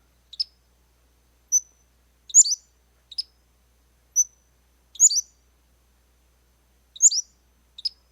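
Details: Pacific-slope Flycatcher song, playback: very high, thin notes alternating between short sharp slurred phrases and brief clear upslurred pips, roughly a call and response, about nine notes over eight seconds with uneven spacing; no other sounds.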